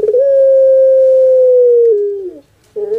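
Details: A kept bird described as a puter pelung (Streptopelia risoria), known for its "kuk gerukkk kwokkk" voice, gives a long, drawn-out, even call held about two seconds, dropping in pitch at the end; another starts just after. Finding: Chicken.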